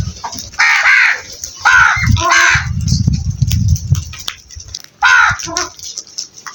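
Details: Crows cawing outdoors: harsh, hoarse caws in a quick burst of three, then a pause and two more, set against low rumbling background noise and scattered clicks.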